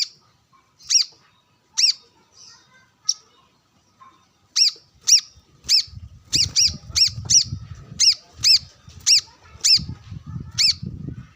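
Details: Brown-throated sunbird challenging rivals during sunbathing, with wild birds nearby. Spaced high chirps build into a steady series of ringing notes about every half second. Low rustling noise appears in the second half.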